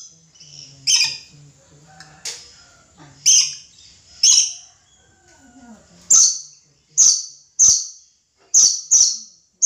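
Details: Red lory giving loud, harsh, broadband screeches, about ten of them spaced roughly a second apart over ten seconds, each with a sharp start and a quick fade, with faint background hum between calls.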